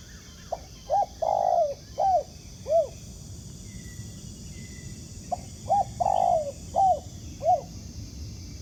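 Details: Wild spotted dove cooing in answer to a ground decoy during trapping, a strong cooer. Two phrases of short mellow notes around one drawn-out descending coo, separated by a pause, over a steady high insect hiss.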